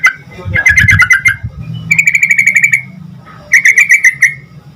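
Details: Sooty-headed bulbul in lively full song, played to make other bulbuls answer: three bursts of rapid bubbly chattering notes around mid pitch, each under a second, over a low rumbling background.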